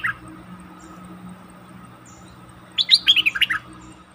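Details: Decoy bulbul, a fully feathered bird taken into the forest to meet wild birds, recorded 08/08/2021; after a quiet stretch it gives one short burst of rapid, chattering notes that fall in pitch, over a low background hum.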